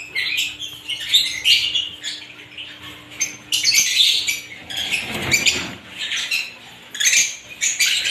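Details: A group of various lovebirds twitters in uneven, high scratchy bursts, with one low thud or rumble in the middle of the chattering.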